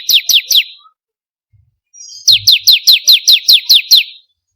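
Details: Bar-winged prinia song used for luring or training birds: three sharp chirps, a pause, then a steady run of about nine rapid, high, descending chirps.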